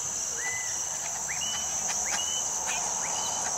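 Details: Montezuma oropendola in Costa Rica, singing while pivoting around its perch branch, giving short liquid notes that swoop upward about every three-quarters of a second over a loud, steady high insect drone.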